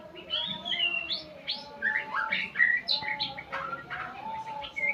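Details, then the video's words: White-rumped shama learning sounds from tutor recordings: a dense stream of chirps, trills and bright whistled notes, with a louder clear whistle near the middle and a steady hum underneath. "Murai pastol belajar Bunyi"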